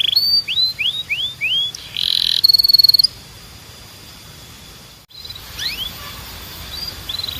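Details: Canary training song meant to stimulate singing and train young canaries: a run of five quick down-slurred whistled notes, a buzzy rasping burst, then a rapid high trill, a silent gap, and further sweeping whistled notes.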